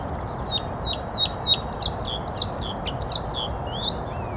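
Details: Bluethroat male singing in a willow, 15 April 2021, Canon EOS R5: a string of four clear, evenly spaced high notes, then quicker, varied twittering and buzzy phrases that end in a rising slur, against a low rumble.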